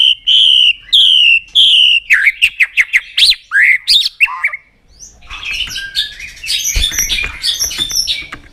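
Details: White-rumped shama singing loud, clear whistled phrases: three similar descending whistles about half a second apart, then a quick run of varied slurred and chipping notes, fading into a softer, noisier jumble near the end.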